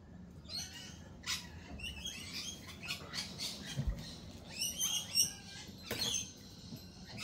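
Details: Lorikeets at a lorikeet cafe: overlapping shrill, scratchy chirps and short screeches, high-pitched and broadband, in bursts throughout, with denser chattering near the end over a low background rumble.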